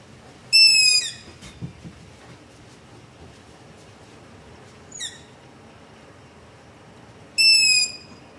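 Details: Nocturnal begging of long-eared owls near a house, captured in darkness on a ZOOM H5 with LOM Usi Pro microphone: three thin, piercing squealed notes, the first and last loud, a softer one between.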